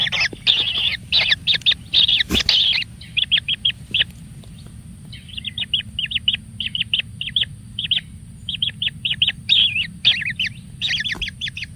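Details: A single kingfisher chick fed with lots of food calls in fast runs of short, scratchy high notes. A dense loud burst at the start gives way to quieter evenly spaced chips. There is one brief knock partway through.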